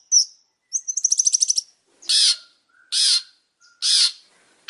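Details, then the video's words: Long-tailed shrike singing with mixed notes: a high chip, a rapid rattling trill, then three loud harsh, buzzy notes spaced about a second apart, each followed by a faint lower tone. "Suara burung pentet super gacor"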